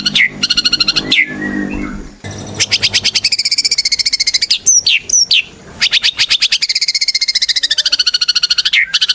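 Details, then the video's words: Singing white-rumped shama, used as a lure to prompt other shamas to sing: long runs of rapid pulsed notes with a rich layered tone, broken by a few sharp high whistles. "Murai Batu Gacor | AMPUH buat PANCINGAN Murai Batu Agar Bunyi"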